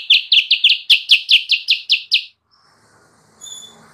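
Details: Sooty-headed bulbul song used as a lure for wild birds: a quick run of about ten bright, sharp, down-slurred chirps, evenly spaced over two seconds, then near silence with a faint high tone.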